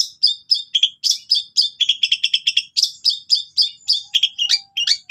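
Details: Lively gacor song of a long-tailed shrike with cililin fill: quick, varied, high chirped and whistled notes in an unbroken run, roughly four per second, some doubled, others slurred.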